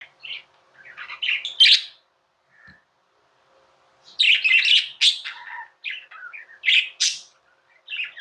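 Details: Pet budgerigars chirping indoors: bursts of bright, scratchy warbling chirps with quick high twitters, broken by a pause of near silence midway before the chatter resumes.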